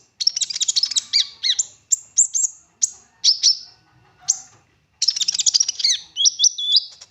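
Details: Olive-backed sunbird in full, varied 'gacor' song used to coax other sunbirds to sing: dense, fast high chirping bursts, then shorter phrases and a jerky, wavering high twitter.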